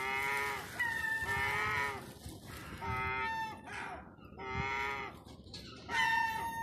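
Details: Hungry gulls crying for food in Terminus Road, downtown Eastbourne, East Sussex, UK, during lockdown: a run of five or six long, mewing, harmonic wails, roughly one every second and a half, against street noise.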